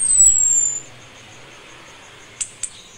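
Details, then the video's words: Female orange-headed thrush in breeding condition calling to a male: a single thin, very high whistle sliding gently downward, followed by silence and two short clicks. "ANIS KEMBANG BETINA MEMANGGIL JANTAN"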